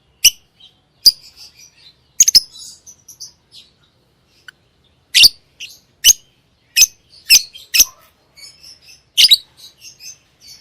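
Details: A lovebird gives a lively run of piercing chirps, bunched in quick groups with softer twitters between them and a brief silent stretch in the middle.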